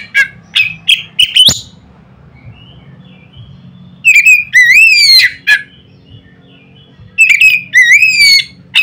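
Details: Oriental magpie-robin singing loudly to provoke other magpie-robins, with short sharp chips at first, then a pause and two groups of upslurred, ringing whistles.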